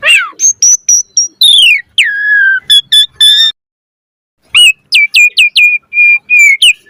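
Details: An Asian pied starling sings: sweeping whistled slurs and sharp clicks, a pause of about a second, then a series of quick repeated whistled notes.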